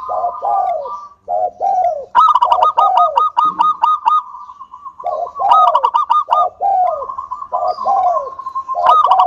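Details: [5, 'Frequent-singing local zebra dove giving lure song for other doves: falling coos, then long runs of fast staccato notes, several cycles of coos and rattling bursts repeated.']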